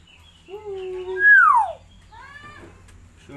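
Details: Two-year-old captive common hill myna from East Kalimantan, early in learning to speak, utters a steady low note, then a loud falling whistled slur, followed by softer arched, speech-like phrases in a quiet room.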